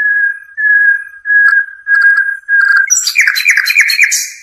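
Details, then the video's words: Singing European goldfinch, for tutoring young birds: a series of level whistled notes, each about half a second long, then a quick burst of varied high twittering. "صوت الحداد"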